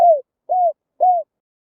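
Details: Spotted dove coos played to draw wild birds: three short arched hoots about half a second apart, clear and without background sound.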